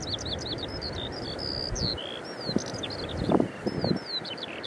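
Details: Singing Eurasian skylark at Eyemouth on 30 May 2024 pours out a fast, unbroken stream of high chirps, trills and slurred whistles, over a low wind rumble with a few soft thumps.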